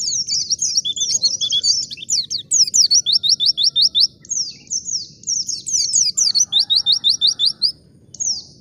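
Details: Wild white-eye song used as a lure to make caged white-eyes sing back: high, fast strings of slurred chirps in rapid pulsed bursts, broken by short pauses, over a low steady hum.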